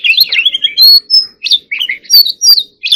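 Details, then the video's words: Short, energetic stretch of Oriental magpie-robin song: a scratchy warble, then loud, sharp whistled notes repeated in quick bursts. "choè than hót líu || Kacer Gacor"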